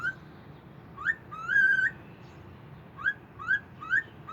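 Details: A pet cockatiel singing on a balcony whistles a series of clear, rising notes, with one longer wavering phrase.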